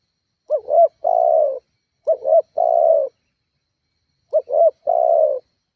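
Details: Spotted dove call played to lure and rile rivals: three phrases of two brief rising coos and a drawn-out falling coo, with a longer gap before the last phrase.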